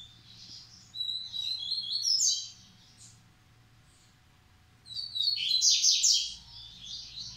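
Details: Captive male double-collared seedeater, breeding bird from a Brazilian breeder, singing Massai or Bahian style; two bursts of rapid, high, twittering and slurred whistled notes separated by a silent gap of about two seconds, faint low indoor hum.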